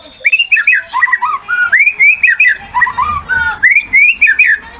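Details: White-rumped shama singing persistently, used to prompt other shamas to sing and to provoke them: loud, rich whistled phrases with quick rising and falling notes in short bursts, repeated almost without pause.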